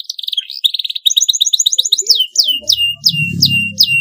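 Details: Canary in long, clean masteran song with a fast stuttering high trill followed by repeated downward-sweeping whistled notes, about two per second, over a low rumbling hum near the end.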